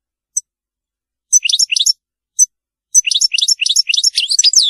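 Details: European goldfinch in Maliki song style, free of errors: a few isolated sharp chips, then rapid liquid twitters rising and falling, building to a continuous chattering run at the end, with no other sounds.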